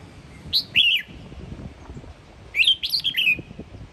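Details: Sông Kon red-whiskered bulbul from Quảng Nam, Vietnam, morning singing: two phrases of clear, liquid whistled notes, the second a rapid run of four or five slurred notes falling slightly in pitch, with quiet low rumble behind.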